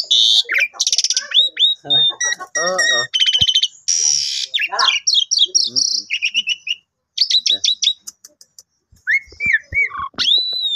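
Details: Pet Asian pied starling delivering a long, dense song while played with on a Friday morning: scratchy chatter, loud buzzy rasps, fast trills and a few looping whistled notes near the end.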